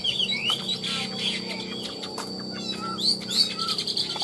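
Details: Captive Chinese hwamei, a bird kept for sale, singing with nodding, richly trilled phrases. Clear whistled notes slur and rise in quick, varied bursts, with sharp high chirps. A steady faint electrical hum runs underneath.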